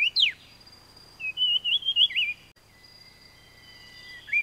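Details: Taiwan fulvetta (Alcippe formosana), a Taiwan endemic of high mountains that winters at mid-altitude, gives high thin chirps and a warbled, wavering whistle, with a faint long steady whistle behind and quiet natural background.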